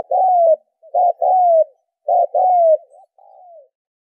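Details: Lure call of a spotted dove for training decoy birds: three hoarse coo phrases, each a short clipped note then a longer descending one, ending with soft trailing coos.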